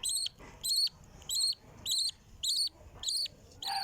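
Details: Chicks begging while their mother feeds them: high, harsh, squealing notes with layered overtones, each about a quarter second long and repeated roughly every 0.6 seconds in a steady series, over faint low rustling.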